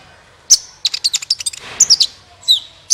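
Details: Sunbird singing in gacor style to prompt other birds: a sharp high note, then a fast series of piercing chips and twitters, closing with a thin descending whistle.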